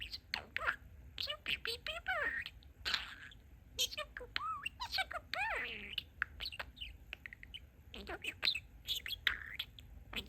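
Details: Pet male budgerigar talking, mimicking its owners' phrases and mixing favourite phrases together: rapid, scratchy, speech-like syllables with rising and falling sweeps, broken by short high squawks and chirps, in a quiet indoor setting.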